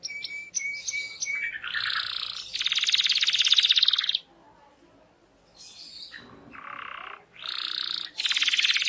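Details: Canary singing to prompt other canaries: high whistled notes lead into loud dense buzzy trills, a brief quiet gap, then more rattling and trilled phrases.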